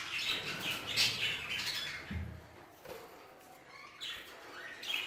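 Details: Several budgerigars in an aviary, including Hogoromo budgies, chattering with quick scratchy chirps and squawks, strongest in the first two seconds and again near the end, with a low thump midway.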